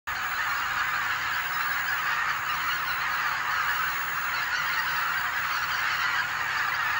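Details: At Kabukuri-numa on 3 October 2011, a flock of several thousand newly arrived greater white-fronted geese keeps up a steady roar of overlapping high, yelping honks, so dense that single calls blur into one continuous chorus.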